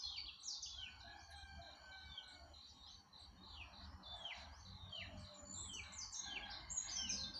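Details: Yellow-breasted white-eye singing: a string of high, sweet downslurred whistles and twitters, fairly even in pace, set against a steady low background rumble.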